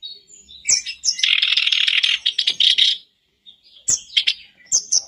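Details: Sooty-headed bulbul singing as a lure for a caged bird: a harsh buzzy chattering burst lasting about two seconds, a pause, then a few sharp high chirps.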